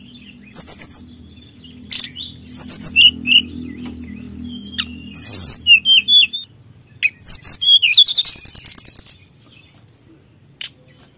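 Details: Brown-chested jungle flycatcher singing to provoke rivals, with clusters of short, high, sharp whistled notes and a fast descending trill, set against a low droning hum that fades partway through.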